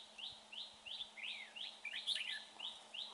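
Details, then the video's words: Red-whiskered bulbul at a trapping site, said to have a fine voice: a series of short bright rising and falling whistled notes, some slurred downward, about three per second, with a steady low hum behind. "chào mào bộ đẹp. giọng hay"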